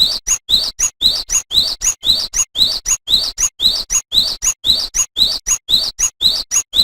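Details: Cinereous tit (gelatik batu) singing energetically as a master recording for training songbirds: a brisk, very regular two-note high whistled phrase, a rising note then a sharp higher one, repeated about twice per second with no other sounds.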